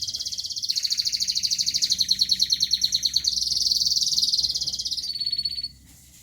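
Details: High rolling trills from a local canary, pulsing rapidly and shifting pitch twice, ending with a thin pure whistle before falling quiet.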